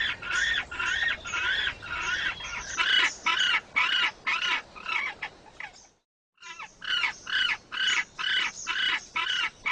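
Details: Males incubating eggs in a penguin group: rapid braying squawks in regular bursts, roughly two per second, pausing briefly mid-sequence before resuming at the same rhythm.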